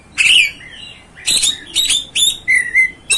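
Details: Oriental magpie-robin singing: a loud harsh, buzzy opening burst, then a run of short sharp chirps and clear whistled notes with gaps between, ending on another scratchy note.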